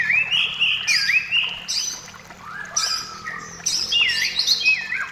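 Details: White-rumped shama song for prompting shamas to sing: clear looping whistled phrases with dipping, swooping notes, repeated in bursts separated by short pauses.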